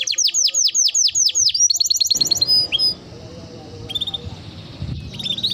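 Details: Timbrado canary song opens with high descending chirps and a fast trill, then gives way to low background noise with a few faint high notes.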